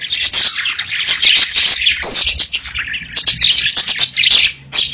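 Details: Several pet budgies chirping and singing together, a busy stream of high scratchy warbles, squawky notes and a few sharp whistled chirps, broken by brief gaps, with a low background hum.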